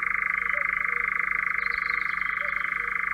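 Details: A European Nightjar from Central Russia gives a steady, unbroken mechanical churr, a fast dry trill that never pauses. Faint chirps from other birds sound behind it.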